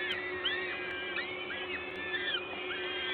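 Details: Peregrine falcons at a nest in Gdańsk, Poland, at the LOTOS site, recorded 14 May 2022 at 11:07 while an adult feeds at the nest: thin, arched, wavering whistled calls, several overlapping, over a steady low hum.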